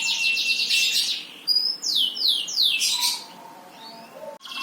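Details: Singing bird giving a buzzy high trill, then a few clear descending whistled sweeps, ending in quieter soft notes and a sharp click.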